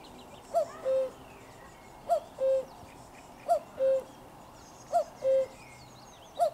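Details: A nearby common cuckoo, 4 June 2023, calls 'cu-koo' four times and starts a fifth, the second note loud and sustained below a quick higher first note, every 1.4 seconds or so, with distant twittering birds.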